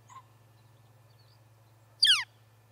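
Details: Small bird at the Charlo, Montana osprey nest, October 8, 2017: a faint short note, then after a pause a single bright, sharply descending call, with a low electrical hum throughout.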